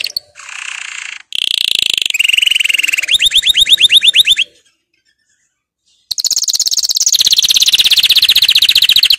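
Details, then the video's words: Powerful canary training song: rapid rattling trills at different pitches, a fast rising-falling pulsed roll, then a brief silence before a long loud rolling trill resumes, notes repeated many times per second. "Canary 's most powerful song for training"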